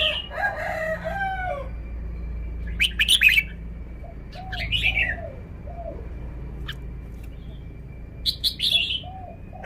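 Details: Red-whiskered bulbul kept in a cage, showing its song style: several short, liquid whistled phrases separated by pauses, with lower, arching calls in between and a constant faint hum.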